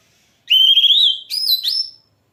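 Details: Oriental magpie-robin song: a long, slightly rising clear whistle followed by two higher whistled notes with sharp onsets.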